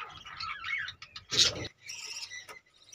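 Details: Caged budgerigars chattering: a busy, warbling stream of quick chirps and squeaky notes, broken by a short harsh burst in the middle and a sharp click near the end.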